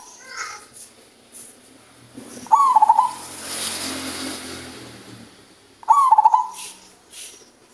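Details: Deep-voiced male zebra dove singing steadily, two stuttering coo phrases roughly three seconds apart, each a burst of rapid clipped notes, over a hissy background with a soft rushing noise between them.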